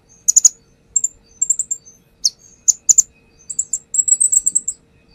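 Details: Sunbird lure song from a perched brown-throated sunbird: a mix of quick chirp clusters and thin, slightly trilled high notes, ending in a dense run of rapid twittering.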